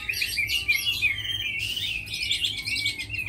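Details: Chinese hwamei, a tamed bird said to fight well and sing beautifully, pours out a dense continuous warble of high rich whistles and chattering notes, with a brief harsh burst in the middle.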